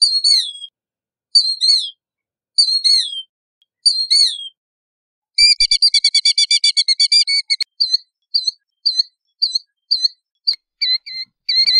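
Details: Killdeer giving four long, high, falling cries, then a fast rattling trill of rapid notes, then a string of short, sharp, high notes repeated about twice a second; otherwise quiet.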